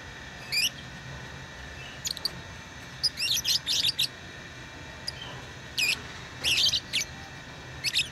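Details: Lovebirds produce short clusters of sharp, buzzy chirps separated by brief pauses, high and squeaky, against a quiet steady hum.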